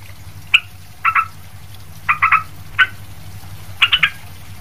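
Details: Sooty-headed bulbul, kept as a song tutor for other bulbuls, giving short burry double and triple notes in small clusters separated by pauses of about a second, over a low background hum.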